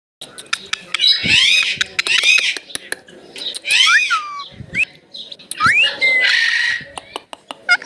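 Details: Indian ringneck parrot saying the words mitthu and mammi: raspy, harmonic speech-like phrases rising and falling in pitch, in bursts with short gaps, mixed with sharp clicks and a few brief whistled notes.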